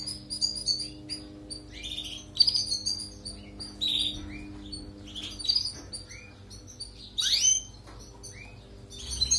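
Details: European goldfinch singing for canary training: busy high twittering with quick chirps and a few slurred whistles, then a loud burst of rising sweeps near the end, over a low hum.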